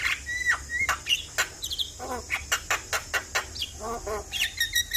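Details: Lively Javan myna singing meant to prompt a stressed bird: short whistles, a fast run of sharp clicks about every quarter second, and rasping chattered notes, over a faint hum.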